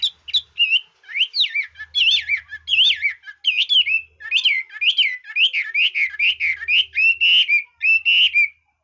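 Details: Hwamei showing off its voice-switching song for bird-keeping enthusiasts: a continuous flowing stream of loud whistled phrases that rise and fall, with rapid twittering notes mixed in over about eight seconds.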